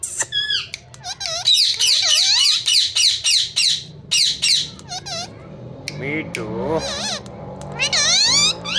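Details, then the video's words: Ringneck parrot giving a rapid string of harsh, looping squawks and screeches, some rising and some bending down, packed closely for several seconds, with a brief quieter lower-pitched warble partway through, indoors. "Best ringneck parrot talking"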